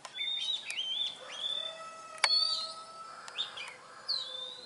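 Oriental magpie-robin singing a varied run of clear, sweet whistles and sliding notes, broken by a few sharp clicks, over a soft background hiss.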